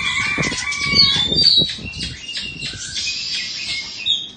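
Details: Indonesian-type Oriental magpie-robin, a caged two-season bird, gives sweet whistled and slurred phrases, with low thumps like wing flapping or cage movement beneath.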